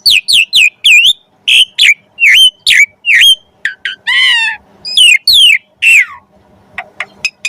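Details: Javan pied starling song, a training recording for magpie-robins: a fast series of loud upslurred whistles, a wavering harmonic buzz, then falling whistles and a few soft final ticks.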